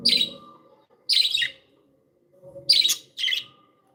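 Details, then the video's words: Playful pet budgerigars, described as happy, give four loud, scratchy chirps in two pairs about a second apart, harsh and broadband, with a faint low hum between them. "Happy budgies sound"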